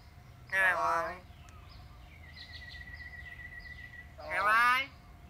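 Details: Pet myna utters two loud speech-like phrases about three seconds apart, each a dense stack of wavering harmonics, with a faint whistle between them.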